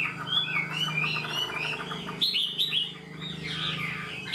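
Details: Caged wild-caught Chinese hwamei singing a structured song like a tamed bird: a run of repeated mellow whistled notes, then louder sweeping phrases and a burst of quick varied trills, over a droning low hum.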